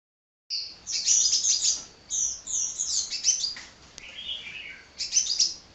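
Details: After a moment of silence, a sunbird (kolibri) launches into relentless song: shrill, rapid twittering chirps, a pause, then further high trills and downslurred squeaks.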